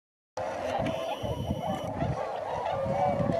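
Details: Tundra swans in flight at Sakata, Japan, on 3 November 2018: after a brief silence, a dense chorus of overlapping mid-pitched honking calls begins and continues steadily, with low rumbling wind underneath.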